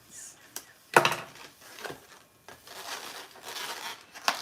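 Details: Indoor crinkling, rubbing and tearing sounds, like a balloon or paper being handled, with no animal voice.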